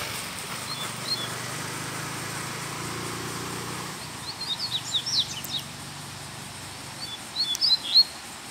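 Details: Loose black Double-collared seedeater, recorded after a Sunday outing, gives mexida-style song. Two brief bursts of high, rapid chirps and slurred whistles rise out of low rumbling traffic-like noise and steady hiss.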